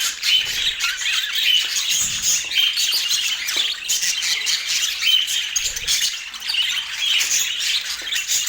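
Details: Steady high-pitched budgerigar chatter from Portland: rapid chirps, short whistles and squawky notes layered together without a break.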